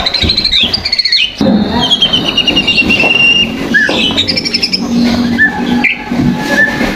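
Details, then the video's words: White-rumped shama lure song played to provoke other birds: varied, rapid whistled phrases and warbling trills with abrupt pitch jumps and brief sweeping notes, over a steady low rumble like passing traffic. "PANCINGAN MURAI BATU"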